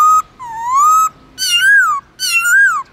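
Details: Black-throated laughingthrush kept as a cage songbird, giving long, flowing whistles in a forest voice with slurred bends: three sustained, rich notes that rise and fall, separated by brief gaps.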